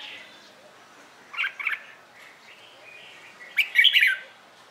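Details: Red-whiskered bulbul singing its competition song in the morning, used for training. Two short bursts of bright, warbled whistles, the second louder and more complex with quick rising and falling notes, separated by a quiet gap with faint background chatter.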